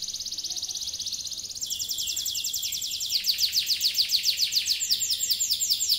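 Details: Yellow canary in full song: a thin high whistled trill, then fast descending sweeps repeated several times a second, building louder into a rapid rolling series of downward-slurred notes.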